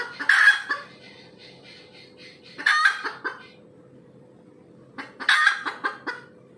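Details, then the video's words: Red junglefowl cackle following egg-laying: three loud raspy squawks spaced a couple of seconds apart, each followed by short clucking notes, over a faint steady hum. "AYAM HUTAN SELEPAS BERTELUR"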